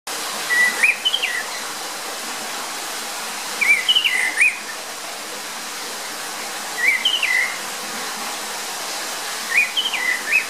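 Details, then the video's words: Orange-headed thrush song: short, sweet whistled phrases that dip and rise, repeated about every three seconds over a steady rush of running water. "Orange-headed ground thrush song"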